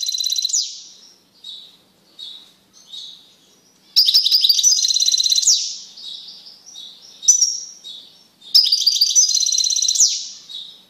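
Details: Caged male European goldfinch singing strongly after being mated with and then separated from a female canary: high buzzy twittering phrases, short bursts at first, then two long rapid tinkling runs with quiet pauses between.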